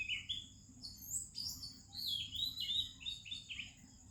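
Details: Oriental magpie-robin singing in the morning in India: a quick run of varied whistled phrases, some sliding up, some dropping, fast and melodious over a steady high insect hum.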